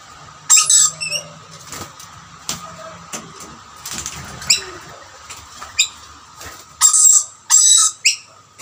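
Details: Rainbow lorikeets contesting two plates of snack, a dominant male chasing away birds not of his family; harsh screeches and drawn-out shrieks mixed with wing flapping and scuffling.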